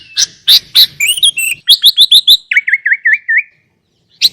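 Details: Sooty-headed bulbul master song rich in inserted phrases, used as a lure and to make reluctant bulbuls sing: rough scratchy bursts, a quick string of clipped chirps, then five looping whistled notes before a brief pause.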